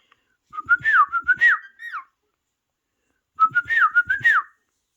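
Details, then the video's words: Pet parrot indoors, watching parrot videos on a phone and refusing to give the phone back, makes speech-like mimicry: two bursts of warbling, whistled, falling syllables, each about one and a half seconds long, separated by silence. "Best Trending Parrot Talking"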